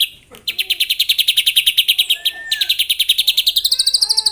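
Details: In the morning a white-rumped shama sings to goad rivals, delivering a steady fast trill of sharp high notes, a short downslurred whistle, then a rising accelerating trill.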